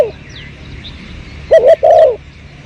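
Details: Spotted dove heard behind home plants during a 2022 luring attempt: after a quiet pause, two low, rounded coos in quick succession, the latter drawn out and fading down, over faint hum.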